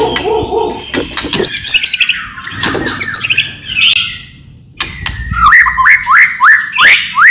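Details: Loud white-rumped shama lure song meant to trigger other shamas: dense rasping chatter and clicks, a brief pause, then a run of quick rising whistled notes repeated about three times a second.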